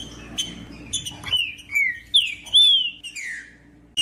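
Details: Green-winged saltator, male song heard with female calls to stimulate singing: a few chips, then a string of rich whistled phrases, each bending up then gliding down, fading into quieter chips.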